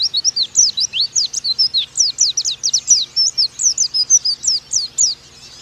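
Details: Tutor recording of oriental white-eye song, an energetic stream of bright, high chirps sliding downward, delivered quickly and continuously before stopping near the end.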